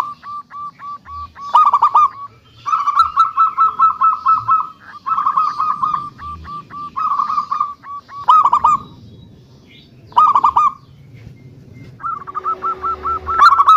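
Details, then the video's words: Local zebra dove with a big voice, meant to lure other doves into song: repeated phrases of rapid, rolling cooing notes in a steady rhythm, broken by brief pauses and occasional sharp clicking sounds. "Perkutut Lokal Suara Besar - Biang Pancingan"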